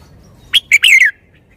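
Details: Caged red-whiskered bulbul giving one short phrase: two quick sharp notes then a warbled, falling whistled flourish, clear over faint low background hum.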